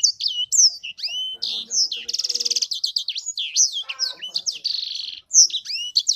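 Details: Pet sanger canary pouring out a dense, energetic song of high whistled swoops, churring buzzy trills and rapid repeated notes, with lower chattering sounds underneath.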